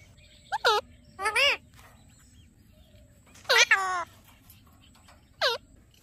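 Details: Alexandrine parakeet producing speech-like sounds: a quick pair of short syllables, a longer warbled word, then a loud double phrase and a final brief squawk, separated by pauses of about one to two seconds.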